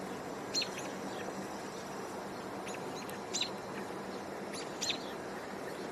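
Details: American Robins give three sharp, high call notes, a second or more apart, over a steady hiss, on 6 July 2024, possibly reacting to a nearby hawk in a tower.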